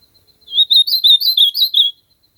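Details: Brief song of an ultramarine grosbeak in nature: a quick chain of slurred, sweet whistles, about seven notes rising and falling in pitch, lasting under two seconds against silence.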